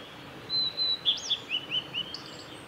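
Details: Male blue-and-white flycatcher, Lake Miyagase's Kanazawa forest road, Japan, 17 May 2020; a thin sustained whistle opens, then six or seven short clear notes in quick, evenly spaced succession, the later ones lower.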